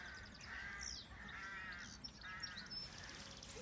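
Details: Birds singing on a working farm: bands of warbled, whistled phrases repeat in short bursts, with scattered high thin chirps above and a steady low rural rumble underneath.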